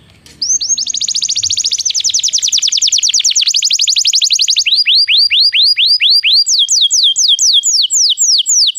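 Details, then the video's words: Training song of a Belgian canary for non-singing birds: after a short pause, a long rapid rolling trill of fine high notes, then slower separate descending sweeps, then higher sweeps repeated about twice a second. "Canto de canário belga - treinamento para canários não cantores"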